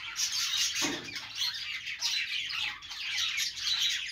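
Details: Several budgerigars chattering together, a dense continuous warble of high chirps and squeaky notes with no pauses, one short lower squawk near the start.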